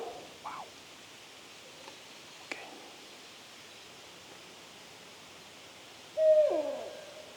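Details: A Barred Owl, one of at least three calling close by in evening parkland with low pines, possibly young owls with an adult, gives alarm calls: a few faint slurred notes, then a loud, harsh, descending squall.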